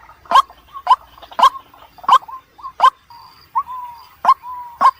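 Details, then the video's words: White-breasted waterhen calling at night, used as a lure sound: harsh, clipped croaking notes about every two-thirds of a second, with softer, level hooting tones between them. "waterhen sound"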